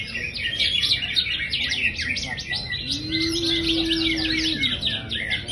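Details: Greater green leafbird, a champion bird described as in high spirits, pouring out a fast, dense run of sharp chirps and twittered notes, many per second. A steady low hum-like tone sounds midway.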